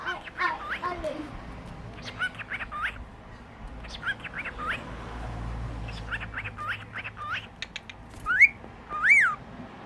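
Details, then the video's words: Pet cockatiels at home chattering while a person talks to them: many short up-and-down chirps and warbles in bursts, ending with two louder rising-and-falling whistles, with a man's voice praising the birds. "My birds smokie talking too tweety"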